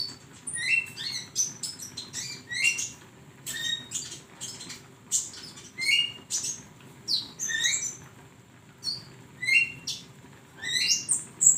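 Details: Song of a flowerpecker serving as a training recording for songbirds, made of short bright bursts of high squeaky notes and clipped chirps, spaced one to two seconds apart across the stretch, over a soft steady hum.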